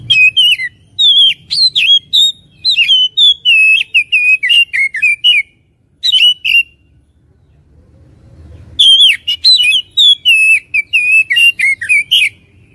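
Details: Lure song of an Oriental magpie-robin, used to spark fighting spirit: long bursts of loud, varied whistled phrases with sharp clicks, broken by a pause of about three seconds before the rich warbling resumes.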